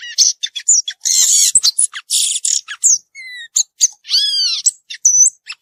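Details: Violaceous euphonia singing in the wild: a fast, varied jumble of high chips, buzzy bursts and clear whistled notes, some sliding downward in harmonic stacks, broken by short pauses.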